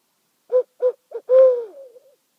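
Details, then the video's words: Owl in a meadow at night, two owls calling back and forth: three short quick hoots followed by a longer drawn-out hoot that falls and fades with a wavering end. "Owl Calling on Rattenbury Rd"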